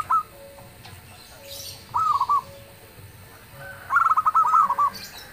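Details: Local zebra dove singing busily, its booming voice prompting other birds to answer; two short rolled phrases, then a longer series of quick pulsing coos, with a low steady background hum.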